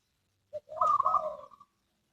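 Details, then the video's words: Zebra dove giving one cooing phrase: a brief low note, then a longer rolling, slightly wavering coo that fades at the end. "suara burung perkutut"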